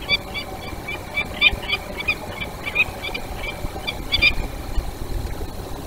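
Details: A peregrine falcon gives alarm calls in the Barycz Valley on 16 January 2023: harsh, grating cackles in uneven bursts over a steady low rumble of wind and distant traffic.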